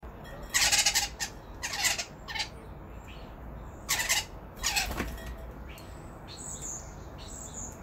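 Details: Northwestern crows squabbling over whose turn it is to eat give harsh, raspy caws in short uneven bursts, several in quick succession, followed by faint high chirps near the end.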